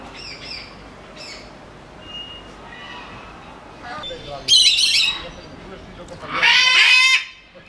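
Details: Sulphur-crested cockatoo, captive at Belgrade Zoo, Serbia, recorded in 2021: after soft background chatter and voices, two loud, harsh, raspy screeches burst out, each lasting about a second, separated by a short pause.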